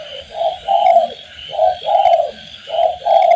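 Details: Master recording of spotted dove song for training birds: mellow low coos in paired phrases, repeated at a steady pace, over faint chirping of other birds and background hiss.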